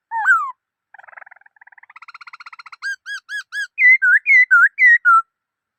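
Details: Black-throated laughingthrush singing a falling whistled slur, a long buzzy trill slowly rising in pitch, four short looping notes, then loud alternating falling and dipping whistles.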